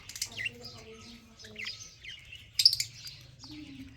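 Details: Budgerigars in a breeding collection, March 15, 2024, make sharp downward-sliding chirps in quick bursts, then a loud scratchy squawk near the end, over a faint low hum.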